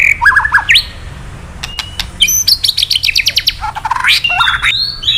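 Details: Male white-rumped shama in a cage, roused by played calls, sings whistled slurred notes, sharp clicks, then a fast high ticking series and rising twittered phrases.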